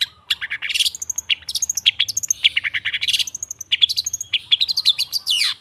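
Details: Long-tailed shrike song used as a lure for silent birds: a dense, jumbled warble of chattering, buzzy and whistled notes in mixed pitches, with continuous varied phrases.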